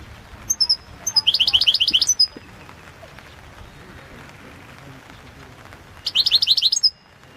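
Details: Balkan goldfinch, Carduelis carduelis balcanica, singing in a 2022 world championship competition: high opening notes lead into a rapid, even trill of about ten bright chirps, then after a four-second pause a similar trill returns.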